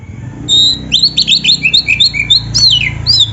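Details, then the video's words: Continuous gacor full isian singing by an oriental magpie-robin (kacer): a steady string of bright, clear whistles, many dropping sharply in pitch, delivered quickly and without a break. "suara burung kacer gacor full isian"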